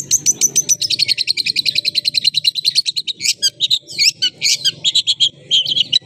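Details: Long-tailed shrike singing with its tail spread: a rapid train of high chattering notes, about eight per second, then louder varied squeaky, scratchy notes and short whistled phrases.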